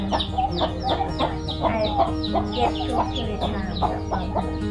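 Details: Free-range backyard chickens on a farm clucking in short, repeated bursts about every half second, with steady music playing underneath throughout.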